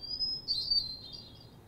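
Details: A Hermit Thrush phrase: a clear, high whistled note held briefly, then a quick fluty warble that fades away, over a quiet background.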